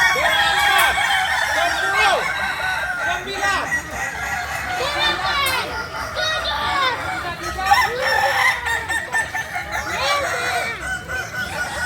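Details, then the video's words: Kukuak Balenggek roosters, a native chicken breed from Solok, West Sumatra, crowing together in a dense chorus. Many overlapping, wavering crows rise and fall throughout, with faint voices in the background. "Ayam kukuak balenggek ayam asli solok sumbar"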